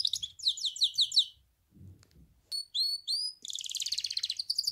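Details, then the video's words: Song of a goldfinch hybrid: a rattling series of descending notes, a gap with soft low noise, three clear rising whistles, then a dense buzzy chatter to the end. "تغريد النغل.. هجين الحسون melez ötüşü"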